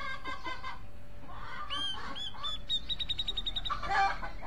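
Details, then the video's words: Grey-cheeked Bulbul song: a rising whistle, then a fast run of about ten bright, even notes, over low background noise and possible chicken clucks. "Cucak jenggot mencari teman karaoke"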